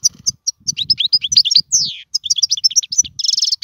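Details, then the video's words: European goldfinch song, likely a caged bird, used for teaching young birds to sing: rapid run of bright, tinkling twittered notes and short buzzy trills, with a drawn-out descending slur midway and a dense buzzy burst at the end. "اسمع المقنين واعطي رايك فيه,افضل تغريد لتعليم الفراخ"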